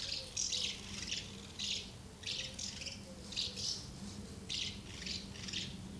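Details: A crowd of house martins gathered at two nests while young are fed, summer 2012 (24 August); bright, grating chirrup bursts follow each other in quick irregular groups, with soft low hum behind.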